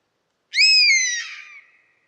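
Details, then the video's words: Wild bird of prey, a buzzard, gives one clear descending mew, loud and rich at the start, then falling in pitch and fading away gradually against a silent background. "Buzzard Sound | Hear the Wild Call of a Majestic Bird of Prey"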